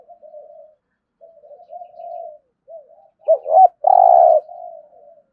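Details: Spotted dove cooing in the full 'thổ' voice style, used to stir newly caught birds into cooing and fighting: soft low murmured coos, then two short looping notes and one long loud buzzy coo, trailing into quieter coos.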